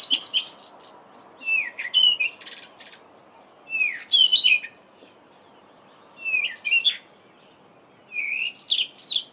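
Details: Mimicking song of a Cape robin-chat in a garden, mid-winter July morning, embellished with imitations of other local birds: bursts of swooping whistles, buzzy high notes and quick chips, grouped into phrases every two seconds or so.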